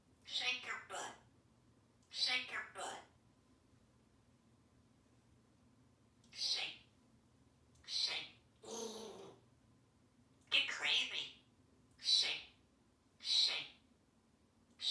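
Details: Talkative pet African Grey Parrot, male, hatched in 1997, living in a home in Texas, dancing with his reflection in a mirror, speaks short clipped phrases like "shake, shake, shake your butt" in separate bursts with quiet pauses between.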